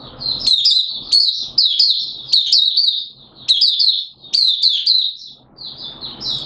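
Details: Oriental white-eye of Malaysian origin doing 'buka' open song in Singapore, 29 March 2023, warm humid weather with sudden showers; loud, high, sweet twittering phrases in bursts of about one second, each separated by brief pauses.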